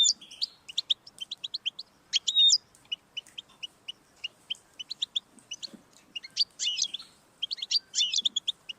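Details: European goldfinch singing, offered as encouragement for a pet bird: quick liquid twitters and clipped high notes, broken by short drawn-out buzzy phrases around the second and seventh seconds.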